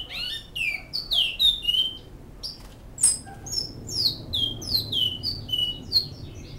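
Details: Great-billed seed finch, a bicudo, singing in Canoas in the song style called Flauta Modesta: clear whistled notes, many sliding downward, delivered in a steady run of phrases with short gaps, plus a few sharp clicks.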